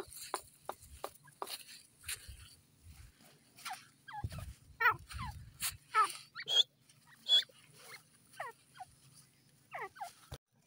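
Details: Francolin, locally called teetar, heard in a forest: a series of short, sweeping notes that slide down in pitch, irregularly spaced, mixed with sharp clicks and a few low thuds.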